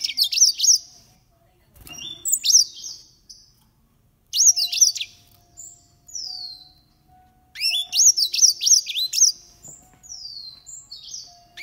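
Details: Thirteen-year-old green singing finches deliver bright, high warbling phrases of rapid looping whistles, each burst lasting about two seconds and separated by short pauses, with a faint steady hum beneath.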